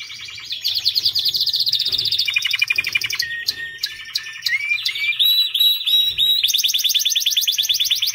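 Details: White canary singing indoors: long rapid trills of repeated notes, shifting between high buzzy rolls and clear rising whistled slides, with a faint low hum beneath.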